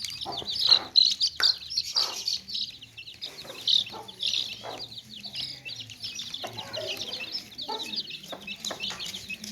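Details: Chorus of baby chicks in a tokri basket: shrill, quick peeps repeated several times per second, broken by scattered short clucks and light tapping sounds.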